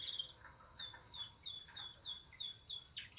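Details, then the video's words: Canary trained with lovebird phrases gives sharp downslurred chirps, repeated about every third of a second, against a steady high-pitched whine. "Kenari gacor isian love bird"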